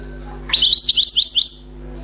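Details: Newly caught wild European goldfinch giving a short burst of song, about one second of rapid, high, tinkling twitters, repeated in quick even pulses over a low steady hum.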